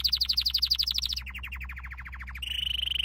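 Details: Canary training song: a rapid trill of evenly repeated notes that drops in pitch midway, then shifts to a faster, steady, higher rolled trill, over a faint low hum.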